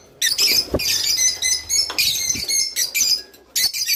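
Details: Java sparrow singing, a recording meant to prompt caged birds to mate: rapid clicking chatter with thin, ringing notes in close bursts and only brief gaps.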